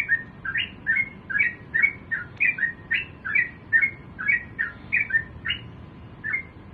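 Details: Sooty-headed bulbul singing in the morning, used to coax other bulbuls into song: a steady string of short, chirpy two-part phrases, roughly two per second, over a low background hum.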